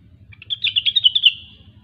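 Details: Grey-cheeked bulbul (rengganis) singing gacor: a quick, rhythmic trill of about ten bright, buzzy whistled notes at a steady high pitch, swelling then trailing off.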